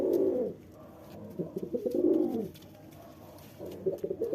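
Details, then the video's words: Low guttural cooing from a male pigeon courting his mate: two rounded coo phrases near the start, then a pause and the opening of another burst. "male pigeon sound impressive female pigeon"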